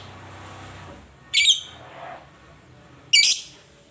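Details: Lovebird voicing two shrill squeaky calls nearly two seconds apart, the second sharper and noisier, with faint low rumbling early on.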